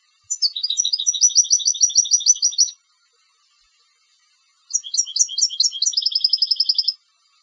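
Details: Two bright twittering strophes from a competition goldfinch, each a quick run of alternating high and low chirps merging into an even, rattling trill, with a pause of nearly two seconds between them.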